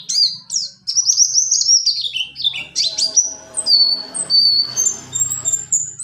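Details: Mountain white-eye (pleci buxtoni) song with a rolling delivery, used as tutor material for training other birds: rapid high whistled notes sliding down and up, varied phrases with short buzzy elements, some faint low background noise.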